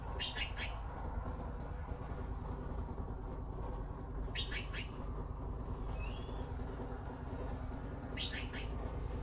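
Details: Nestling blue magpies waiting for food make scratchy clusters of three rapid harsh notes, spaced about four seconds apart, with a single faint rising whistle between and heavy low rumble underneath.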